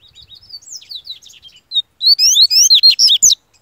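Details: Yellow-bellied seedeater from Bahia in full form: a series of quick, thin, slurred whistles, then a loud, ringing run of strong rising and falling whistled notes.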